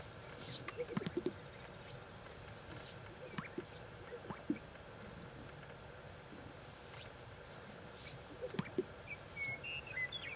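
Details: Two male greater sage-grouse at a lek in Fremont County, Wyoming, during the 2014 breeding season give soft, hollow plopping pops with brushy swishes in scattered bursts; a faint thin whistle from another bird near the end.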